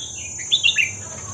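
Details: Short song phrase of a Red-whiskered bulbul in the hua krok khayao khuat style, used to teach young birds: a brief run of liquid, slurred whistles dipping and rising, with a constant high-pitched whine behind.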